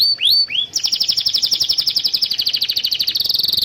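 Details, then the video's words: Canary song used to stimulate young or silent canaries: a few curved whistled notes, then a long rapid chattering trill repeating many notes a second. "Suara burung kenari gacor Pancingan kenari paud kenari macet bunnyi"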